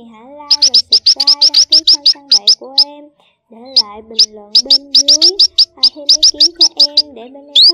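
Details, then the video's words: A flock of male and female black munias gives rapid, thin, high chips in quick overlapping bursts over low drawn-out tones, a recording used as a lure for net trapping. "CHIM BÍT RI ĐEN KÊU BẦY TRỐNG MÁI"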